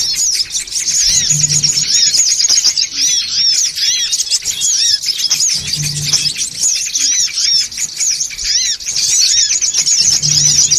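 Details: Continuous shrill chatter of songon birds meant to lure others: thin, very high chirps and looping squeaks crowd together throughout, with a low hum returning three times.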